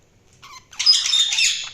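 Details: Budgerigar chirping: a short burst of harsh, warbling chatter, a faint note first and then a louder scratchy phrase, all high-pitched.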